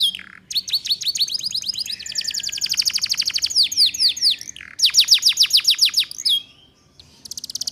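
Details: Female Atlantic canary luring males, a ngeriwik-style lure song used to train young canaries: rapid high downslurred notes run into steady trills, with a lower buzzy roll midway and brief pauses.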